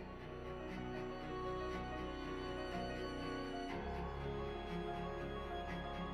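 Slow, mournful violin and string music plays throughout, with no animal sounds.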